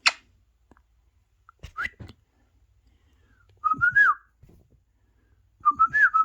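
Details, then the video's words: Pet parrot kept indoors, watching parrot videos on a phone. A few short clicks and a brief chirp are followed by two wavering, whistled talking-like phrases, each rising then dipping, about two seconds apart in a quiet room. "Best Trending Parrot Talking"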